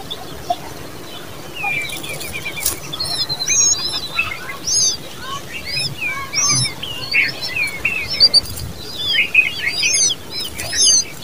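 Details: Baby common babblers give a busy, overlapping stream of thin, high, slurred chirps, with several birds calling at once and short pauses between bursts over about eleven seconds.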